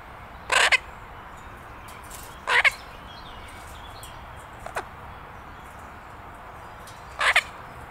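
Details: A six-month-old pet Illiger's macaw playing in a garden gives three loud, harsh screeches, each about a third of a second, spaced irregularly over eight seconds against a low steady background hiss.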